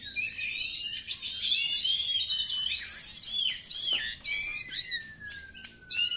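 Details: Oriental magpie-robin song as a lure: dense, varied warbling with buzzy and whistled phrases, rapid chatter, then one long, gently falling whistle near the end.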